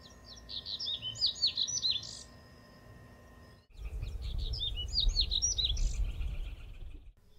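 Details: Double-collared seedeater (coleirinho), filmed in rural São Miguel do Iguaçu, Paraná, Brazil, gives two quick bursts of high, sweet, warbled and slurred notes, each about two seconds long, over low rumbling background noise and a steady hum.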